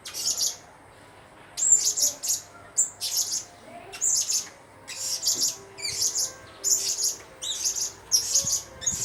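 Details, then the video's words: Blue-crowned hanging parrot song: bursts of very high, thin, buzzy chirps in short clusters separated by brief pauses, in a quiet setting. "Kicauwan Burung Serindit"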